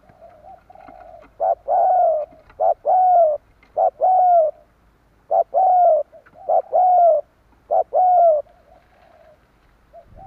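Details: Spotted dove calls played to entice wild doves. Faint low cooing gives way to loud, rounded, arched coos in short groups, with pauses between the groups.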